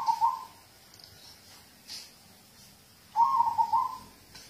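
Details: Zebra dove of local stock gives soft trilled coos meant to encourage other birds to sing; a brief coo opens, then after a long quiet gap a longer, wavering coo phrase of several notes.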